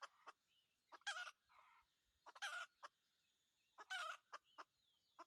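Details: Red junglefowl during decoy trapping, three coarse crow bursts spaced about one and a half seconds apart, with scattered clicks, muffled rumbling and a low background hum.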